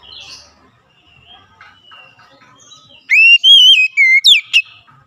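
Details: Oriental magpie-robin lure song for making reluctant magpie-robins sing: a soft faint twitter, near quiet, then a loud pure whistled phrase sliding up and down and ending in a sharp rising sweep.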